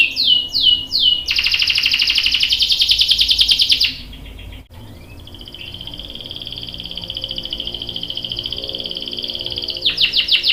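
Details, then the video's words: Canary song, a young male answering: a few downslurred whistles, then a loud buzzy rolling trill, a pause with a faint sustained trill, and a final burst of rapid notes. "KENARI GACOR cuit cuit NGEROL bikin PAUD ikut NYAUT jadi BUNYI | CANARY SINGING"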